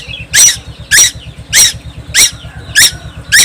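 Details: Young tuwu bird, Timor Island, singing incessantly: six loud, harsh squeaks evenly spaced about every 0.6 seconds, with light chirping between them and a steady low hum behind.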